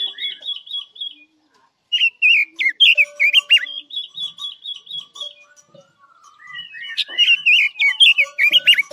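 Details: Chinese hwamei song serving as a trap lure: a rippling whistled trill, a pause, then long sequences of loud, quickly modulated whistles with sudden upward and downward slurs, continuing in a lively stream.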